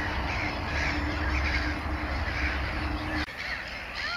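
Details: Nesting colony of Mediterranean gulls at Sol de Loire, Montjean-sur-Loire, Maine-et-Loire, 12 May 2013, alongside black-headed gulls and common terns; repeated arched nasal calls in quick irregular succession, then a brief break and sharper cries near the end.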